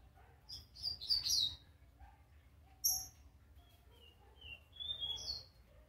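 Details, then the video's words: Juvenile brown double-collared seedeater working out its first song notes, giving high scratchy twitters, a single sharp chip, then a short series of thin whistles stepping upward, over low hum. "coleira Pardinho apreendendo suas primeiras notas"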